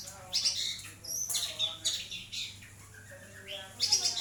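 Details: Long-tailed shrike in lively song, used as a training recording for other birds: bright high whistles and sharp chattering phrases in short bursts, faint lower voices and a constant low hum in the background.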